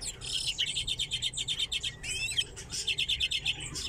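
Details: Caged common redpolls kept together with chaffinches give fast, evenly spaced dry chet notes, about five per second, broken once by a short twisting twitter, with other birds calling faintly behind.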